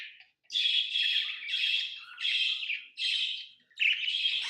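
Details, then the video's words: Pet lovebird chirping: five harsh, screechy buzzing bursts, each about half a second long, following one another in a fairly even rhythm with short gaps. "Love birds Sounds | lovebirds chirping sounds"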